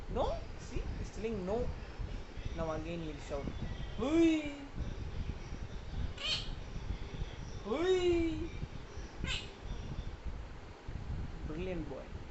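A monk parakeet answers a man in short, harmonic talking bursts with rising and falling inflections, several seconds apart, between his spoken words.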